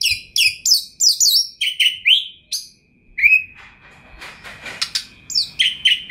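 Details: Oriental magpie-robin (kacer), a champion bird in full, chatty song with a rich repertoire. Rapid high chirps give way to slurred, rising whistles, then a scratchy, buzzy passage and more whistled phrases over a faint steady tone.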